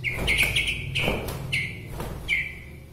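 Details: White-rumped shama of Bahorok near Medan, its song said to rouse rival shamas; loud warbled phrases at a steady mid-high pitch, broken by brief pauses and sharp clicks, with low hum beneath.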